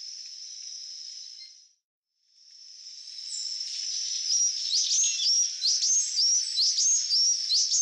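Buff-tailed sicklebill giving thin, very high, sharp chipping notes in quick irregular bursts, over a steady high-pitched insect drone.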